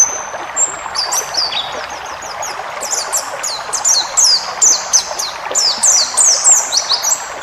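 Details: White-eye song used as a training recording for cage birds, wild-type 'ngalas' style with full fill-ins: rapid high thin twittering phrases with short downslurred notes, fairly continuous, over a steady background hiss like running water.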